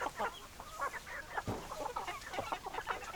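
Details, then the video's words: Flock of chickens, hens giving steady, rounded clucks in quick succession, several birds overlapping, with a dull low thump midway. "Chicken Sounds Noises Hens Clucking Roosters Crowing"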